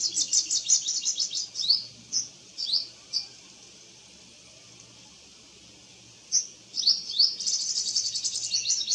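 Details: A purple sunbird in eclipse plumage sings in a garden. It opens with a fast high twitter and then spaced squeaky slurred notes, pauses briefly, and resumes a shrill rapid warble over a low hum.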